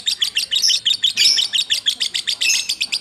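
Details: Lovebird in ngacor style, kept as a hobby bird, giving rapid high-pitched chirps in a continuous stream, run together with almost no pauses for three seconds.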